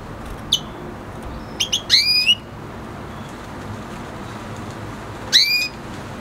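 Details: F1 hybrid of red hooded siskin and canary sings: scattered thin ticks, then a rising slurred whistle with a harsh overtone. A similar upswept note returns about three seconds later.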